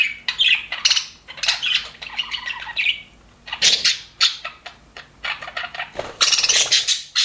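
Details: Happy budgies in an aviary chirp in separate bursts: clicks, short squeaky warbles and a drawn whistle-like note, with quiet gaps between louder chattering outbursts.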